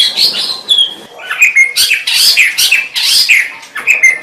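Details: White-rumped shama delivering dense, high song: quick whistled slurs and piercing notes packed with rasping chatter, bursts repeating every half second or so.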